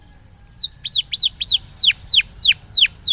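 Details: Canary song used to stimulate a quiet canary to sing more: a run of clear, high, downslurred whistles, each falling sharply, repeated about three times a second, loud and clean over faint background hum.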